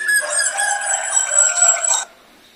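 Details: A single loud, harsh, rich phrase from a black drongo giving lure song to make other birds sing, held for about two seconds with many stacked tones, ending abruptly.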